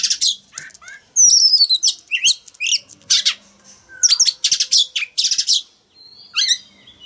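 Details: Male oriental magpie-robin, caged, singing to stimulate young birds to answer: varied loud phrases of descending whistles, harsh buzzy bursts and rapid trills with short pauses, ending in a thin rising note.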